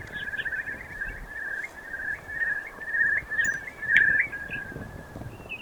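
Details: Eurasian curlew on a hillside walk in Highland Perthshire, Scotland, gives a long, rolling, bubbling trill, fairly high and steady, swelling louder toward the end over a soft outdoor background.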